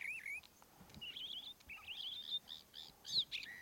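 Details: Sooty Chat in Masai Mara giving a varied run of short, warbled and scratchy whistled phrases, high-pitched and irregular, with faint background noise.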